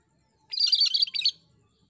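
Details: Cucak kerinci singing energetically for a training recording: a single quick, scratchy high chatter lasting under a second, with quiet before and after.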